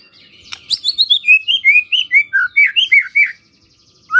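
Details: Shama lure song for prompting other white-rumped shamas to reply: a quick run of about a dozen bright, clipped whistled notes stepping downward, then a pause and one more note.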